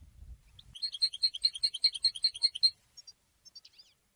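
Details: European goldfinch delivering a quick, rhythmic string of bright chirping notes after a brief low rumble, then trailing off into a few soft, scattered twitters.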